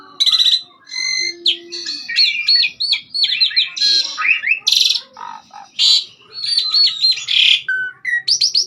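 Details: Asian pied starling in persistent varied song on a master recording: rattling harmonic bursts, flat whistles, quick rising slurs, harsh buzzy blasts and chattering runs, ending in short high swooping notes.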